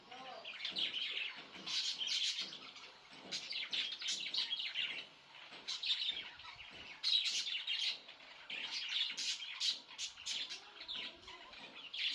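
Budgerigars chatter in a steady stream of bright, scratchy chirps and warbles.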